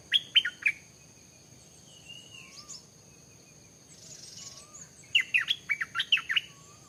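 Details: A stripe-throated bulbul in forest around 7 a.m. gives two quick bursts of sharp chattering notes, the second of about eight notes, with a steady high insect-like whine and soft low whistles behind.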